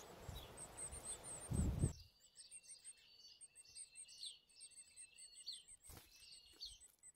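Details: Superb fairywren chicks, three in the brood, give thin, very high begging chirps in a rapid, steady stream while both parents work hard to feed them, after a burst of low rumbling noise at the start.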